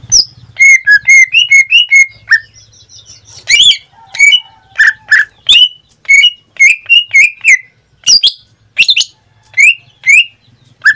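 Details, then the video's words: Pet greater green leafbird in full, frequent song, singing almost daily: a rapid run of loud, clear, slurred whistled notes with sharp chips, pausing briefly mid-phrase before resuming in quick bursts of varied, ringing syllables. "Suara cucak ijo suaranya tidak diragukan lagi"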